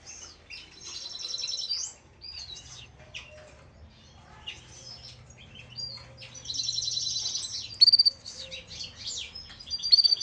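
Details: Goldfinch mule singing in 2018: scattered high twittering notes and short buzzy phrases, with pauses between bursts and a louder dense trill near the end over a faint low hum.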